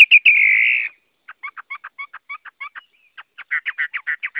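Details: Chinese hwamei opening with a long harsh buzzy note, followed by a rapid, jerky series of short stuttering chips and clicks, speeding up into a dense chattering run.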